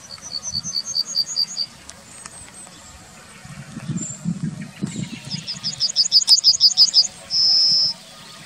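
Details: Yellowhammer in the town of Wittlich, recorded 2019, giving two strophes of its song: fast repeated high chips, a pause with faint low rumble, then another accelerating chip series closing on a sustained high note.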